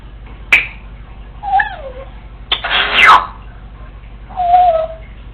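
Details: Congo African Grey parrot, female, vocalizing to herself with no one home: a sharp click, a short falling whistle, a harsh noisy burst, then a drawn-out lower whistled note, heard indoors.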